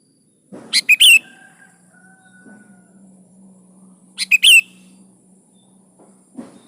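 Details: Energetic 'gacor' song of a kutilang (sooty-headed bulbul), played to get caged birds to reply: two quick bursts of sharp, bright notes roughly three and a half seconds apart over a low steady hum.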